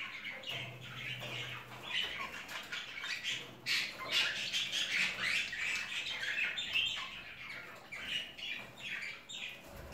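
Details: Budgerigars of Japanese and Jumbo crested types in breeder's aviary cages; continuous busy warbling chatter of many birds, rapid chirps and harsh squawks, a low hum behind.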